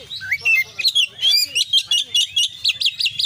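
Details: Brief burst of Oriental magpie-robin 'konslet' song with fillers: twisting whistled notes leading into a rapid, evenly repeated sequence of sharp chirps about four per second, over a faint low hum.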